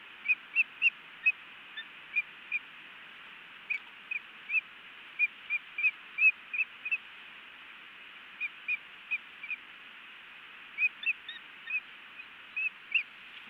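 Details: Osprey pair at a Montana nest on 10 May 2017, around a male's delivery of a large trout to the female. Brief high whistled chirps come in loose clusters of two to four, scattered unevenly, against a quiet hiss.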